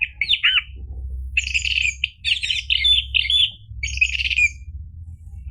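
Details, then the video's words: Orange-headed thrush singing in lively phrases meant to prompt a caged bird to sing. It opens with looping, slurred whistles, then chattering and buzzy clusters in three main bursts, with a constant low hum underneath. "PANCINGAN ANIS MERAH biar bunyi NYAUT JADI GACOR NGEPLONG"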